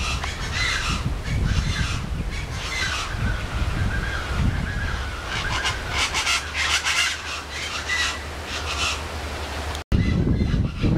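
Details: Chachalaca calling at Quinta Mazatlan in McAllen, Texas, in the Rio Grande Valley: a loud, raucous chorus of harsh, grating bursts repeated over and over, with strong low rumbling wind noise throughout and a brief dropout near the end.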